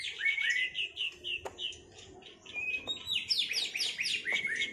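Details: White-rumped shama, a caged bird just out of moult, sings in a duel: rich whistled phrases, rapid descending slurred notes and sharp rising whistles, varied and loud, with a few clicks in between.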